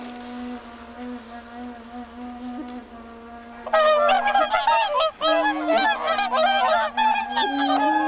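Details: Whooper swans on misty, icy Lake Kussharo, Hokkaido, Japan, in winter, with mountains behind: a burst of loud, overlapping nasal honks from several birds, starting midway over a steady, low sustained musical drone.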